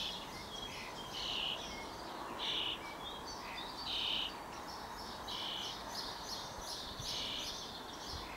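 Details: Common starling nestling, nearly ready to fledge, calling from hunger while being fed: a steady run of short, harsh, wheezy rasps about once a second, some doubled, over constant outdoor hiss.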